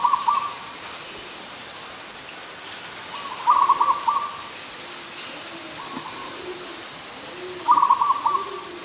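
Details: Adult zebra dove in Ubon Ratchathani, Thailand, on 24 December 2020. Three short staccato cooing trills of broken, bubbling notes come several seconds apart. Faint background chatter is heard.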